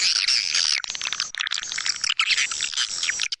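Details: White-nest swiftlet lure call used for swiftlet houses, tested in East Kalimantan: dense, buzzy, rapid chittering twitters high-pitched and continuous, with brief breaks between bursts.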